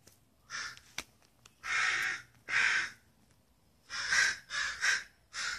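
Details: Birds calling outside a window in Redmond, Washington, around 4:30 to 4:45 AM just before sunrise, a loud daily racket. Harsh, hoarse caw-like calls, about seven bursts of varying length, some doubled, with a few sharp clicks between.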